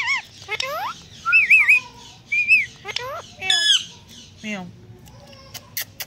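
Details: Human-like talking from a pet Indian green ringneck parakeet: repeated loud squawking syllables, quavering mid-pitched notes and descending harmonic calls, about one per second, fading to quiet clicks at the end.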